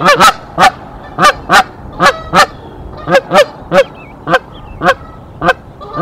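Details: Canada goose defending its nest from an intruder goose in spring; loud, upward-sweeping honks repeated about twice a second in a steady series, with short pauses between groups.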